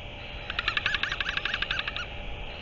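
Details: Northern royal albatross recorded on 5 March 2023, giving a fast run of about a dozen nasal, harmonic yelps over roughly one and a half seconds, over a steady background hiss.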